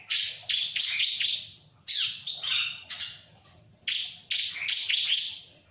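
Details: Bar-winged prinia (ciblek) singing in the presence of a myna: dense, hoarse bursts of high stuttering notes in three groups, separated by short silences.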